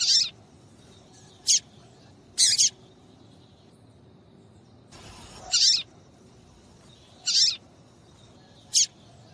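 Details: Calls of a female papa-capim seedeater, played to excite a male into song: sharp, very high chirps, some doubled, come at uneven intervals, about seven notes, with a brief rustling sound near the middle.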